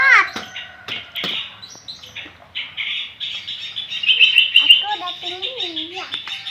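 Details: Young long-tailed shrike learning to sing: rough, uneven scratchy chatter, a high thin trill, and low warbling nasal notes that dip and rise toward the end.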